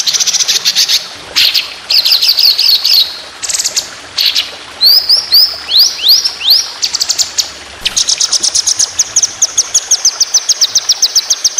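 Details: White-rumped shama song for training competition birds, in long rapid 'tembakan' bursts: buzzy high rattles, a run of rising whistled upslurs, then a fast steady series of sharp, evenly repeated high notes.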